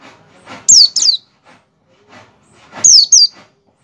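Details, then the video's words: Quick doubled high whistles, each sliding down steeply, repeated twice: an Oriental white-eye's ngecal-ngecal call, played to bait white-eyes into opening their beaks and singing; soft scuffs and clicks between. "pleci ngecal-ngecal buat pancingan pleci agar pleci buka paruh dan pleci gacor"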